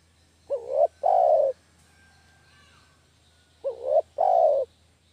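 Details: Lure recording of a spotted dove, called derkuku kampung, for catching doves: two low coo phrases about three seconds apart, each a brief swelling note followed by a longer, even, slightly burry coo.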